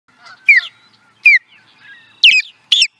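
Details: Osprey at Charlo, Montana, USA, in 2017: four loud, sharp, downslurred whistled calls in quick succession, clean and unmasked.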